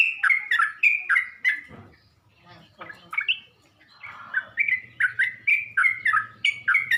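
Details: Bubbly chattering song of yellow-vented bulbul, played as a lure to provoke other bulbuls; quick rising-falling notes in runs, a brief quiet patch, then steady repeated phrases.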